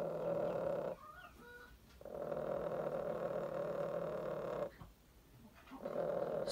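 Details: Chickens in a cage growl in a squabble over space, a hen having laid an egg she means to sit on; a long steady droning rumble, broken by a short pause, then resuming.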